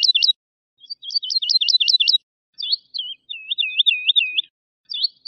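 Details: Woodlark singing a rapid run of sharp, rolling notes, then after a short gap a lower, looping liquid series of slurred notes, with no other sounds.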